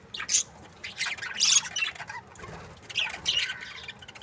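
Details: Budgerigar breeding pairs give softer, scattered squawks and chirps, a few louder clustered notes rising above quieter background chatter.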